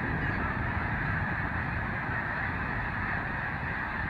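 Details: Migrating snow geese in Canada: a dense, unbroken chorus of many birds honking and yelping over one another, a steady roar of nasal barks with no pauses.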